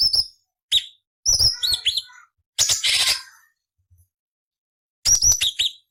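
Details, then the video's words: Cucak cungkok delivering rough, varied phrases used to train other songbirds such as murai, cucak ijo and kacer: piercing whistled slurs, dense scratchy chatter bursts, and gaps of silence between phrases. "Masteran Burung Cucak Cungkok Istimewa - Isian Variasi Beset Nyerecet Kasar untuk Murai C.Ijo Kacer"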